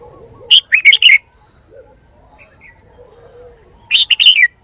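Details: Red-whiskered bulbul kept as a decoy bird, giving two short bright phrases of quick chirped and warbled notes, one at the start and one near the end, separated by quiet with faint low background murmur.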